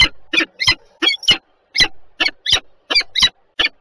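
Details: Two peregrine falcons in Żerań, Warsaw, Poland, 7:47 on 14 February 2023: a continuous run of harsh, rasping, chattering calls, irregularly spaced roughly three to four per second, with no other notable sounds.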